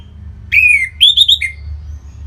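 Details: A kept orange-headed thrush from North Bali sings to draw out song in other birds: a long, downward-sliding whistle, then three quick higher whistled notes and a final lower slurred note.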